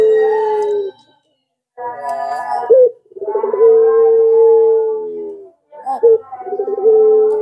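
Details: Pelung Barbary dove cooing as a lure for other doves: a short coo, a wavering rolling phrase, then a long smooth held note, ending with quick trembling notes and another drawn-out coo.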